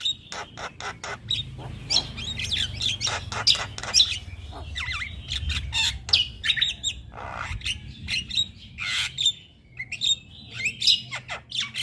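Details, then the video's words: Very vocal male Javan myna used as a tutor for other mynas, delivering a dense stream of clicks, rasping chatter and scattered whistled notes over a low background hum. "Burung Jalak Kebo Jantan Super Gacor Gurunya MAsteran Jalak"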